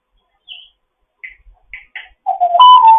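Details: Fostered pet African grey, morning vocalising: a few soft high chirps spaced apart, followed by a louder low whistle that steps up into a sustained clear tone.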